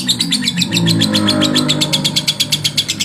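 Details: Male lovebird chattering to provoke rivals: a fast series of sharp, high pulses over a steady low hum in the background.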